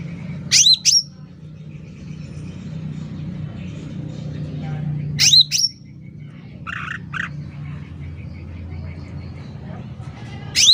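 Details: Sooty-headed bulbul singing actively, loud lure recording: paired high downslurred whistles repeated about every five seconds, a few buzzy chattering notes between them, against a steady low hum.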